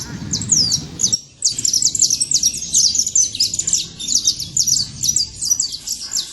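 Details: Saffron finch living freely outdoors, singing fast high chirped notes in clustered runs after a short pause near one second, with low rumble underneath.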